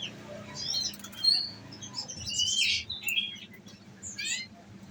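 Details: Olive-backed sunbird kept in a cage and fed nectar, singing 'nembak' bursts: clusters of thin high chirps and twittering trills, with a dense rapid burst in the middle and a final quick trill.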